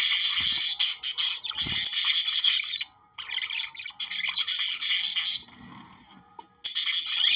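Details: Budgerigars warbling to encourage breeding: busy, buzzy chatter in long phrases, one quiet gap around three seconds and a softer murmuring stretch before a final loud burst.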